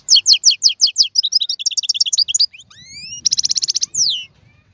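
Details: Goldfinch of wild origin, 2022 season, delivering a quick run of chirpy double notes, then rising whistled slides, a harsh rattling trill and a falling slur, with a soft low rumble behind.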